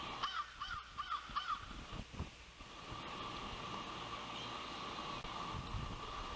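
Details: Osprey at a nest in Savannah on a windy June 12, 2021, as the oldest chick makes its first fledge: a quick run of thin, high chirping whistles, then steady roaring wind over the microphone.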